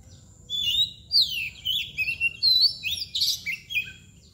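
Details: Kacer (Oriental magpie-robin) in nangkur and mbagong display: rich slurred whistles and twangy warbles in quick succession, with one harsh scratchy burst midway.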